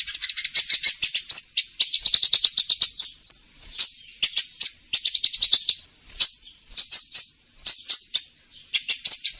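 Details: Lure recording of the kolibri ninja sunbird for trappers: energetic high-pitched twittering song phrases of rapid chips and buzzy trills, repeated steadily for about nine seconds.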